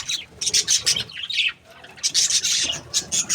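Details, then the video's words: A breeding pair of budgerigars chirping: high, scratchy chatter in short bursts with brief pauses, harsh squawky notes mixed in. "Happy budgies chirping sounds | parakeet breeding pair"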